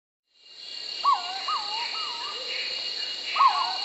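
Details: Purple-throated fruitcrow (Querula purpurata) giving a quick run of three mellow, slurred whistles, then another after a pause, over a steady high insect drone.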